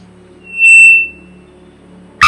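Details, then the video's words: A Three-wattled Bellbird gives one loud, ringing, metallic note lasting under half a second over a faint low hum, then a sudden harsh burst of noise. "Three-wattled bellbird Call"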